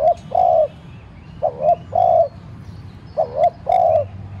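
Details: Spotted dove used as a decoy, calling to stir other doves into cooing. Three quick phrases, each a brief two-part coo ending in a longer, steady, low note, come in close succession, with faint twittering behind.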